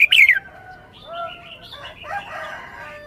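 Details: Red-whiskered bulbul showing its song phrasing: one loud, quick burst of sharp, descending whistled notes at the start, then quiet, faint tonal warbling in the background.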